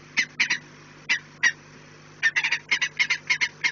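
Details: Peregrine falcon at its nest on 4 March 2019 at 16:28, giving harsh, grating kek notes, a few scattered ones, then a quick run of about a dozen, over a steady low electrical hum.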